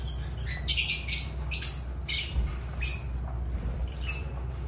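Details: Lovebirds giving harsh, high, scratchy squawks in short bursts with gaps between them, a louder cluster near the middle, over a steady low hum.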